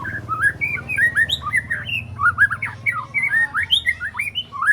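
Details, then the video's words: Three-month-old white-rumped shama in spotted juvenile plumage, learning to deliver mimicked fill-in phrases and sharp 'shot' notes; a rapid, continuous stream of varied whistled and slurred phrases, rising and falling, over a low steady hum. "Murai Batu Trotol Jahat Usia 3 Bulan Belajar Bongkar Isian Besetan & Tembakan Tajam"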